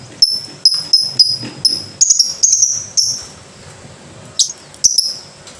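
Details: Lovebird giving a steady run of clear, high whistled chips about twice a second, then a denser chattering burst, a short pause, and two more scratchy notes.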